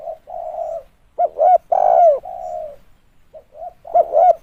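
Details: Spotted dove call used as a decoy lure: soft hollow coos lead into a loud, throaty, rolling coo with a downward slur. A fresh cooing phrase begins near the end, with quiet gaps between the notes.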